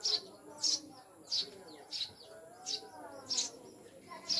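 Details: Eurasian tree sparrows (maya), newly kept as pets and described as mountain birds, chirp in sharp high bursts repeated about every two-thirds of a second, with muffled voices and a steady high-pitched hum.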